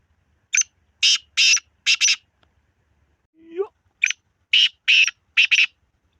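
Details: Black francolin giving two harsh, grating phrases of four or five loud buzzy bursts, separated by a short rising slurred note.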